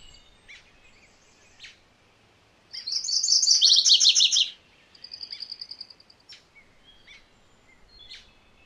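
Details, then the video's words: Two-part song of MacGillivray's warbler, a rapid chatter of high notes falling into lower slurred ones, with a brief even trill afterward and scattered short chips before and after. "MacGillivray's Warbler Song ! MacGillivray's Warbler Sounds ! MacGillivray's Warbler Call"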